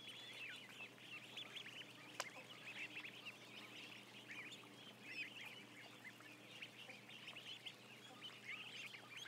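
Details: About a thousand ducklings on a live camera, a dense, continuous chorus of high, short peeps, many arched or rising, overlapping throughout with a single sharp click near the two-second mark.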